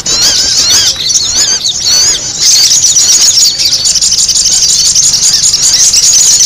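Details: Sogon (sunbird) noisy calls for luring birds. Rapid, thin, high twittering, with sharp up-and-down slurred squeaks crowding together, then a steadier shrill buzzing chatter in the second half.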